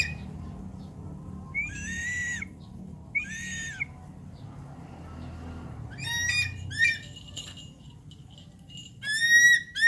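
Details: Javan pond heron (Ardeola speciosa): two well-spaced nasal squawks, then a cluster of rough overlapping calls, ending with two loud, slightly rising squawks. Light background noise throughout.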